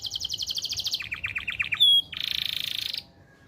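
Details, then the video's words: Canary singing busily, a song used to tutor young birds and to bring female canaries into breeding condition: a rapid high trill, slower notes, a pure whistle, then a fast buzzy roll. "CANARY SINGING"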